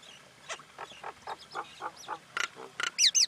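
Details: Common myna uttering a string of low gurgling notes and harsh bursts, ending with loud rising-and-falling looped whistles.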